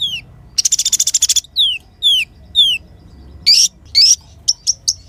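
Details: High-pitched sunbird song used to train other cage songbirds: a run of falling slurred whistle notes, one dense metallic trill, then short rising chips and bright squeaky notes. Background is quiet.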